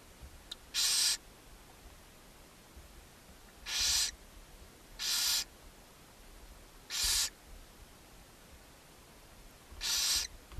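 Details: At a nest box on a chimney in Ságvár, Hungary, on May 4, 2024, as a mother barn owl feeds her seven owlets: five harsh, breathy hisses, each about half a second long, spaced irregularly over ten seconds.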